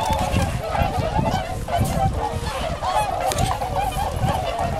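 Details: Tundra swans keep up a dense, continuous mass of honking notes, many with a bent, rising-falling pitch, over strong low-pitched background noise.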